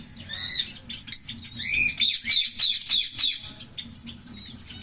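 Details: A green Fischer's lovebird pair sings in harsh rasping notes. Several rising squeaks give way to a fast run of about six loud, buzzy chirps, each lasting roughly a quarter second.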